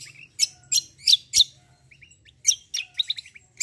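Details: Black-winged myna in fighting mode with a rolling song. Four loud harsh screechy notes come in quick succession, then soft short whistles, then more rasping bursts and chips.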